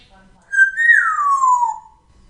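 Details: African grey parrot, a female living in Texas, gives one clear whistle lasting just over a second: it holds steady, lifts slightly, then glides smoothly downward in an otherwise quiet living room.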